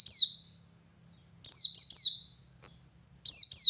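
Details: Ngalas-style singing from a male Oriental white-eye meant to prompt others to join: high, sharp descending notes grouped in quick runs of two or three, each burst fading out, with quiet gaps between.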